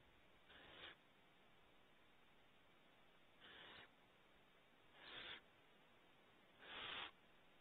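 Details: Barn owl nestlings at the front of a cavity on Starr Ranch, California, make four breathy hisses at uneven intervals, starting softer and growing stronger, the last the loudest.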